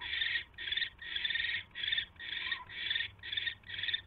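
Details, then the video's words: Owl at a nest during a mouse delivery, evening of 29 January 2016: harsh, breathy hissing bursts repeated about twice a second in a steady rasping series, with a low hum underneath. "Mouse Delivery"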